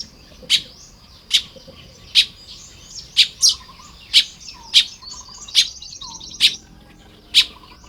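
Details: Baya weavers at work on their nests, early morning of 1 May 2026 in Lopburi, Thailand. Loud dry chips roughly every 0.8 seconds over a soft, continuous high chatter, with short low whistled notes in the background.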